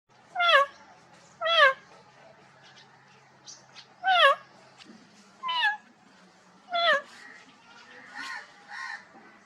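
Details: Rose-ringed parakeet imitating cat meows, giving five loud wavering meow-like calls spaced one to two seconds apart, then softer chattering notes.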